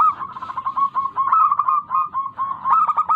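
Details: Zebra dove of local breed cooing as a lure for idle birds; steady, busy flow of overlapping rapid coo notes with a warbling, rolling character and no clear pauses.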